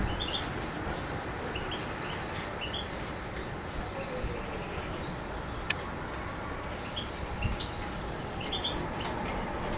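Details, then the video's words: Macedonian European goldfinch singing Suki Makedonski style on 7 July 2011: scattered twitters that build into a steady run of sharp, very high repeated chirps, then loosen into varied tinkling notes. "Suki Makedonski-Carduelis carduelis"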